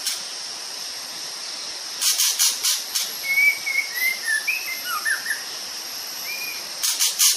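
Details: Sumatran white-rumped shama in full natural song: a run of sweet whistles sliding up and down, with short gaps between notes. Loud rushing bursts come before and after, over a constant high insect hum.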